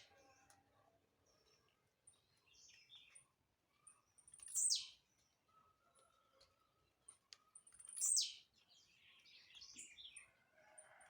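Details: Song of a jumping blue-black grassquit: two loud, buzzy notes that swoop steeply downward from very high pitch, about three seconds apart, with soft chirps and a faint steady tone between them.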